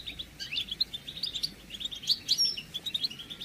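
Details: European goldfinch calls for prompting a moulting male to sing again; quick jangling twitter of short bright notes, with a few thin, high, piercing notes mixed into the steady chatter.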